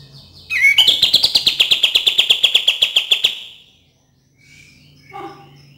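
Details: Song of a cream-vented bulbul, played to coax quiet birds into singing. A quick rising note opens a loud, rapid stream of metallic chips that runs about three seconds and fades, followed by soft faint notes.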